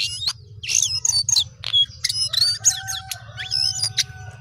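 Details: Lively Sooty-headed bulbul song of loud, bubbling whistles and sharp chirps, with some looping warbled notes, over a persistent low hum.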